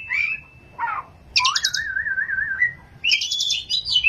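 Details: Oriental magpie-robin (kacer) singing busily in ngerol and nembak style: a level whistle, a low burry note, then a rising sweep into a long wavering warble, ending in high, sharp, trilled phrases over faint low background rumble.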